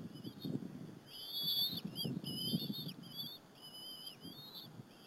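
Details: Two bald eagle chicks calling at their Berry College nest while the mother feeds them squirrel, afternoon of April 30, 2015, live camera. Squeaky whistled notes, rising and falling, repeat in short linked phrases over soft background rumble.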